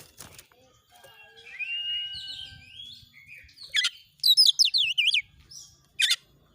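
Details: Kacer, the oriental magpie-robin, persistently singing lure phrases for training other birds: a soft rising whistle, then a loud burst of quick zigzag downslurred notes and a final sharp chirp, with quiet pauses between.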